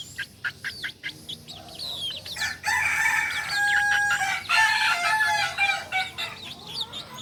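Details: Kukuak Balenggek rooster, a native singing chicken breed from Solok, gives a long, drawn-out harmonic crow in several stepped, tiered segments lasting about three seconds, preceded and followed by short, sharp chirps of small birds.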